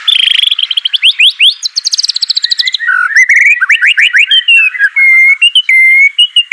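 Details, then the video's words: Song of a white-rumped shama, used to coax a quiet bird into song: high buzzy trills, rapid descending runs, then clear pure whistles held briefly at two pitches. "Murai Batu Malas BUNYI Pasti LANGSUNG NYAUT NARUNG dan GACOR"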